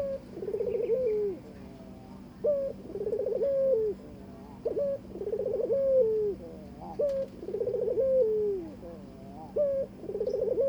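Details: Mating invitation from a Barbary dove to its new partner: a steady series of coos roughly every two and a half seconds, each a sharp upslurred note, a throbbing trill and a long sliding fall.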